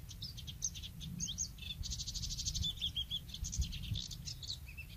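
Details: Bluethroat (Luscinia svecica) singing, Woumen 2018: varied high chirps and whistles, then a fast rattling trill followed by a short series of downslurred whistled notes, with low rumbling background noise.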